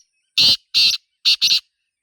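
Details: Wild black francolin voicing its harsh call in nature: four loud scratchy notes, the first two longer and evenly spaced, the last two short and clipped together, over clean silence.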